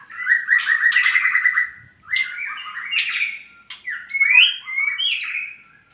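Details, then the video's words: An albino white-rumped shama from Purwokerto sings loud phrases: a long rattling trill, then bursts of sharp whistles and slurred notes separated by brief pauses, clean and without background sound. "murai albino"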